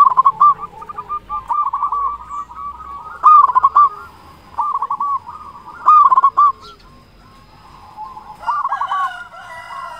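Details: Zebra dove of a local strain singing strongly as a lure for silent doves: choppy trilled coo phrases, several in a row with short gaps, and a fainter dove cooing behind.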